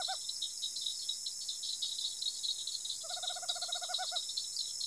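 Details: Tropical screech owl in rural Araçatuba, São Paulo: a brief note at the start, then a purring trill of rapid, low, evenly spaced hoots lasting about a second, ending slightly stronger, over a dense, steady high buzz of insects.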